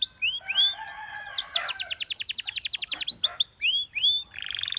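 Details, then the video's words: Canary song mixing looping high whistles and softer buzzy tones with a rapid trill of repeated sweeping notes, then rising-and-falling slurs and a final low, nasal buzzing rattle. "The Most Beautiful Canary Chirping Sounds"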